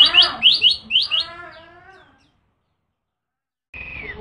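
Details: Yellow-bellied prinia song in the 'nembak' style: several loud, sharp, high chirps in quick succession, followed by a lower, buzzy, rattling trill that fades into silence before a brief whistled downslurred note.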